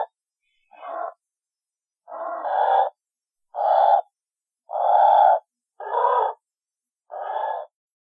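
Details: Pelican calling in a series of six rough, breathy grunts of uneven length, spaced roughly a second apart. The later grunts are louder and longer, with no other sounds behind them.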